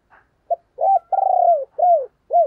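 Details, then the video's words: Owner's decoy spotted dove, used to stir rival doves to coo, gives a string of soft hooting notes, one long slightly buzzy drawn-out coo among them, each note falling at its end. No other sounds. "Tiếng Chim Cu Mồi dùng Kích Bổi Hiệu Quả Mở Là Gáy"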